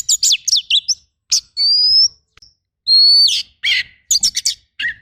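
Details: Tutor recording of an oriental magpie-robin's rough bursting song: quick high chirps, then two long, clear, slightly rising whistles, followed by more scattered sharp notes and a lower trailing chirp.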